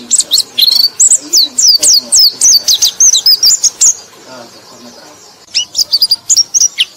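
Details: A white-eye sings to draw in other white-eyes, a fast run of high looping whistled notes about four per second, easing off into a short lull before a fresh burst of sharp chirps.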